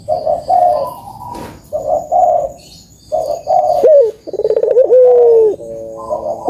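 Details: Spotted dove song used to prompt lazy caged doves into singing: low, hoarse coos in short repeated bursts, then a longer run of pulsed, throaty notes ending in a drawn-out tone, with faint high whistles above.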